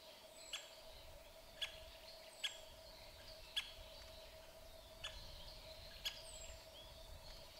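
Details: A male White-backed woodpecker pecks a dead tree while searching for food: single sharp knocks at uneven gaps of one to one and a half seconds, with faint high bird chirps and a steady low hum behind, 20 April 2023.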